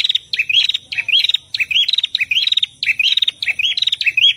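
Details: Prinias, male and female, singing energetically, recorded for training captive birds: about seven quick phrases, one every half second. Each phrase is a burst of sharp, high chirps followed by a short rising-falling sweep. The pattern is steady and repetitive, over a clean, quiet background.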